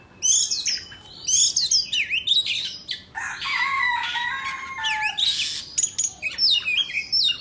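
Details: An Indo-type white-rumped shama sings as it dances, delivering loud rapid whistles, squeaky swoops and a harsh rasping, chattering stretch mid-song, densely packed and varied.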